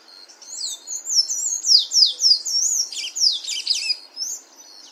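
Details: Sayaca tanager singing in the wild: a fast, squeaky stream of high twittering notes, each slurred up and down, growing louder and denser midway before easing off.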